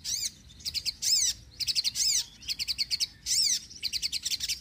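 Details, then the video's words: Sogon bird chirping loudly in quick, bright bursts of rising-falling high notes, repeated in rapid strings of four to six, played to lure birds and get lazy birds singing. "sogon gacor penarik burung bahan & malas bunyi"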